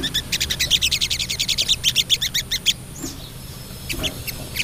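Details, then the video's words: Female crested jay calling to a male: a fast, even rattle of high chattering notes, about four per second for nearly three seconds, followed by a few isolated squeaks. "SOGOK ONTONG BETINA GACOR"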